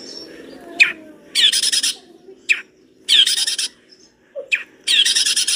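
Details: Long-tailed shrike, singing lustily with full fill material, giving harsh grating rattles about every two seconds, each preceded by a short sharp chip, with quiet gaps between the bursts.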